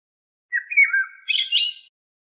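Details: Single blackbird phrase: a low, fluted whistle that drops slightly, then a burst of high, scratchy twittering.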